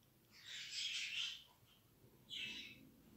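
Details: Budgerigar chicks accustomed to the hand from an early age: one long hoarse, wheezy call followed by a shorter rasping one.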